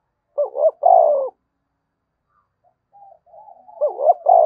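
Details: Spotted dove 'thúc bổi' coo intended to set other doves cooing: one complete phrase of a rising double note and a long falling hoot, a pause with soft murmurs, then the next phrase begins.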